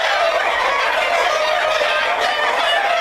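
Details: Black Jersey Giant chickens of a breeding flock: a brief burst of busy overlapping clucks and high squawks from many birds.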